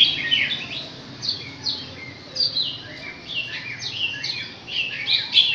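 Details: Chinese hwamei at six months of age giving a softer, more distant string of short downslurred whistles spaced irregularly over a faint background hiss.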